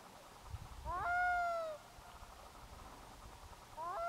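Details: A black-throated loon's call rings out over a bay in grey mist rolling in from the sea: a loud, rich call that rises sharply, then holds as a long, level, slightly falling note, with a second call beginning near the end.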